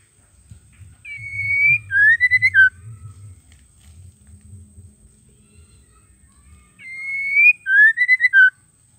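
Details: Female White-rumped shama calling to make males sing: a long steady whistle, then a rising, stuttering whistled note ending in a short lower drop, given twice about six seconds apart over a faint low hum.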